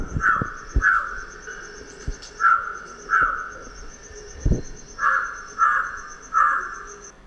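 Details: A crow near Sangli, Maharashtra, India, gives about eight harsh, nasal caws, some single and some in quick runs, varying in tone, as song-like variation; a faint steady high whine and a few low thumps behind.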